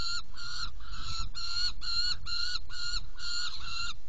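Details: Saker falcons calling at a nest box while being fed, recorded 17 June 2018, 10:31; a regular series of short, strained, buzzy notes, roughly two per second, with steady low-pitched background rumble.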